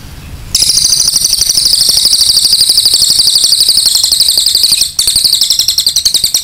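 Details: Cililin master song for tutoring other birds: after a quiet start, an unbroken stream of piercing, very high rapid notes at about four per second, briefly interrupted once, then continuing in sharp chattering bursts.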